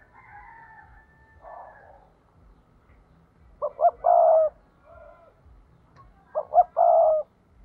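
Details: Decoy spotted dove giving its 'thúc' call, used to lure wild doves for trapping: two low coo phrases, each two short rising notes and a long hoarse drawn-out coo, about three seconds apart, with fainter softer cooing between.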